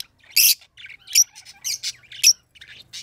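Lovebirds chattering in shrill, rasping chirps and high squeaks, broken bursts about every half second with a faint low hum beneath.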